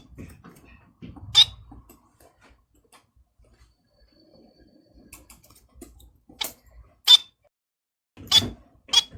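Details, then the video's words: A male Society (Bengalese) finch, one of two males kept indoors, sings scattered, high, scratchy notes, a single one then a quick cluster of harsh chips, against a quiet indoor background. "ジュウシマツの鳴き声 十姉妹オスの歌"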